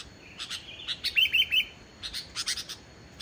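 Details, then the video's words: Sooty-headed bulbul song for prompting lazy bulbuls to sing: short, clear whistled notes in a quick rippling trill, broken by sharper chirps, against a steady hiss. "suara burung kutilang gacor tanpa isian, ampuh buat pancingan burung kutilang yg male bunyi"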